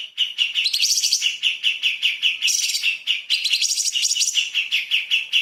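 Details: Light-vented bulbul in energetic 'tembakan' song for tutoring magpie-robins. Unbroken rapid chatter of repeated bright notes, with louder shrill flourishes layered on top.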